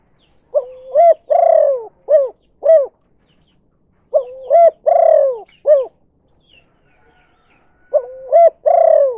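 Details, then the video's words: Spotted dove in 'kuk 2' style, a call played to lure other doves; three cooing phrases roughly every four seconds, each a quick double coo, a long falling coo and two short clipped coos. "Suara Burung Tekukur Derkuku Kuk 2) Cara Pancingan Berkesan"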